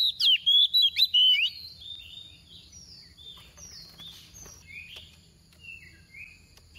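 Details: Soft decoy female oriental magpie-robin singing 'tìu tíu tiu' to stir magpie-robins into song: a short opening burst of five loud whistled notes, then scattered faint whistles and chatters further off.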